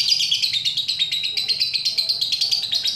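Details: Lovebird in full ngekek, the long chattering song used to provoke other lovebirds into singing; a rapid, unbroken, scratchy high trill that pulses steadily throughout, with faint low hum beneath.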